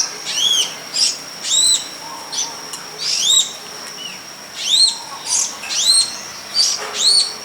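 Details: Long-tailed shrike of the pilis type singing in the wild. Bright arched whistles rise then fall, repeated in paired and grouped bursts with brief pauses between, over a steady faint high hum.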